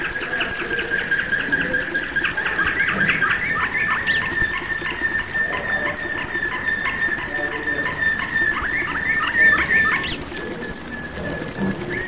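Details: Domestic canary singing in flute (flawta) style: a long held whistle runs through the clip while quick downward-swooping notes repeat beneath and above it, slightly busy background.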